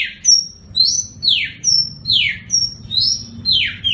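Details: Kacer (Oriental magpie-robin) master recording for singing contests: clear high whistle followed by a falling slurred note, repeated about twice a second, over a low background rumble.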